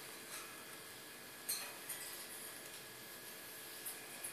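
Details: Quiet indoor room tone with a steady low hum and a few faint soft clicks and rustles, no animal voice heard.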